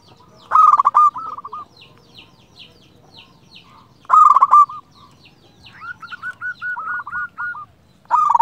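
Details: Local zebra dove song: two loud bursts of quick stuttering coos about four seconds apart, with a longer, softer string of clipped coo notes in between and faint chirps in the background.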